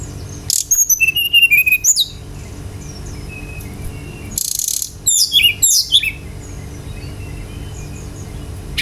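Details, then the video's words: Brown-chested jungle flycatcher song used to coax other birds to sing: a run of clear whistles dropping from high to lower pitch, then after a pause a burst of rapid, sharp sweeping notes, over soft steady hiss. "PANCINGAN GACOR SRDC agar cepat ngeplong"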